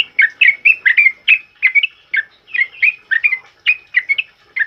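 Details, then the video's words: Sooty-headed bulbul singing loud 'ropel uplik' style for training other birds, during heavy rain; a continuous stream of quick, bubbly two-part whistled phrases, dense and clean throughout. "Suara TRUCUKAN ROPEL UPLIK Lantang Keras Buat Masteran"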